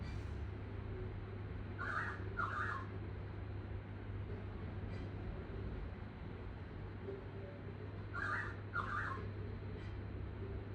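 A pied currawong gives two pairs of loud, ringing calls about six seconds apart, over a steady low rumble like a running engine.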